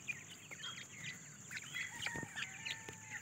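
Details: Young grey francolins foraging for food, giving busy overlapping high chirps and short peeps, with a few longer level whistled notes near the end, over a constant high-pitched hiss.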